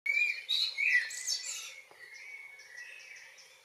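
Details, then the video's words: Common blackbird singing on a June evening in Northwest Zealand, Denmark: loud, mellow fluted phrases around the middle pitch range, followed by a fainter high twittering tail that fades away. "Solsortens aftensang"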